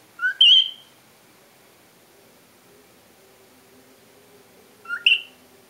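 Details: A male whiteface cockatiel in his cage whistles his favourite tune, two short tuneful phrases, each a quick low note leaping to a bright, wavering high one.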